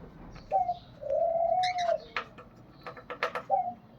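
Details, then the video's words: Pet cockatiel making funny sounds indoors: a drawn-out level whistle, short whistled notes before and after, and scratchy chatter between them. "Cocatail Funny Sounds"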